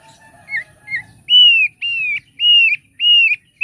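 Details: Thick-billed heleia song: two short soft notes, then a run of loud, clear, slightly downslurred whistles of about half a second each, repeated roughly every half second, in a quiet background.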